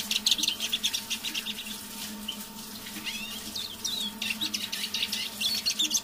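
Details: Captive decoy Eurasian siskin singing under its breath in the evening, with quiet, hissy high twittering and scattered slurred whistles, a faint hum beneath.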